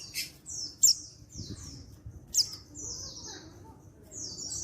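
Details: High, thin downslurred notes and piercing chips from a male white-eye from Pacitan, an untrained bird, calling so other white-eyes answer, dated 14/10/22; rapid short phrases, low background rumble.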